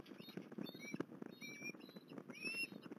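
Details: Osprey at Port Lincoln, 21 December 2020, giving thin whistled upslurred notes, the last one longer and rising, over a steady crackling and tapping background.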